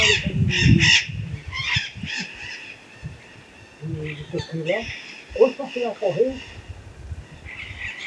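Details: Illiger's macaw (Primolius maracana), a pair flying at the foot of a hill in the Bahian sertão: quick bursts of harsh, raspy screeches at the start and near the end, with a man talking over the middle.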